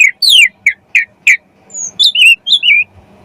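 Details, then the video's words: Javan pied starling song used as training material for songbirds: a few loud, short downslurred whistles, then a thin high note and a run of bubbling, wavering whistles. "MASTERAN BURUNG KACER MATERI JALAK SUREN"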